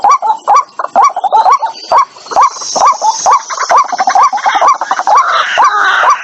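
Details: White-breasted waterhen call used to lure birds into traps: brisk chain of short upslurred notes, about two per second, later joined by a scratchy, noisier overlay.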